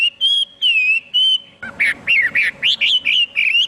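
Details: Chinese hwamei delivering several long, pure whistled notes, then a burst of rapid, rich warbling phrases rising and falling in pitch.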